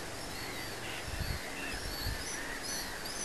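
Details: Young black-headed gulls, hatched at Säbysjön, Järvafältet, Sweden, on 5 July 2008, give harsh, rasping calls that overlap and run almost continuously, some rising sharply, over a steady low rumble of wind.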